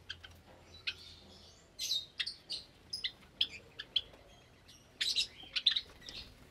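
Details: Captive Java sparrows in an aviary where chicks have hatched, recorded Sunday morning, 8 May 2022: a steady stream of short high chirps and chips, with a louder, denser flurry near the end.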